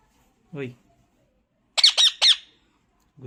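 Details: A talking pet parrot gives three short, harsh, high squawks in quick succession, each about a quarter second long, after a brief low human sound. A faint noise follows.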